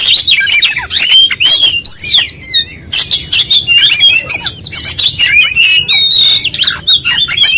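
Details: An oriental magpie-robin in persistent song shows its whole repertoire: varied whistles and grating notes in two long loud phrases split by a brief pause.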